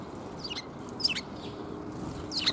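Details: Sparrows coming to be fed, recorded 13 February 2021 on the way out: three short, sharp high chirps spaced about half a second apart, over a steady low background hum.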